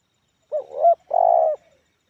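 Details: Spotted dove (tekukur) with an unusual head type and a medium-pitched, loud 'Kuk 1' voice with many fill notes. One low cooing phrase: a short wavering note, then a longer, steady, strong coo.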